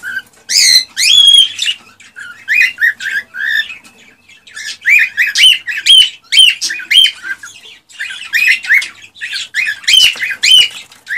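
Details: Excited male cockatiel singing to stir a female to mate and breed: loud bright whistled and warbling phrases with harsh squawky notes, delivered in rapid repeated bursts roughly twice a second.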